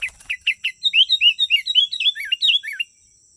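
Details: Sooty-headed bulbul lure recording meant to bring wild birds in: a long, rapid chattering phrase of about twenty chirps, starting with sharp clipped notes and becoming rolling, warbled twists that rise and fall. A constant high whine runs underneath.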